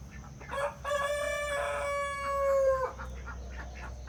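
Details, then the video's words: Rooster on a farm in Villeta, Colombia, crowing: a short opening note, then a long harmonic-rich cry held steady for about two seconds before dropping off, with a faint constant background hum. "El canto de las gallinas y gallos"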